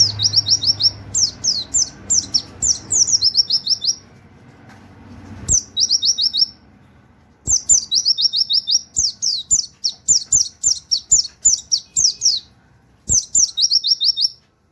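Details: Pleci (white-eye) delivering the canary-like 'nembak wit wit kenari' song used for tutoring other birds: long runs of very high, sharp, quickly repeated chirping notes with brief gaps, over faint background hiss.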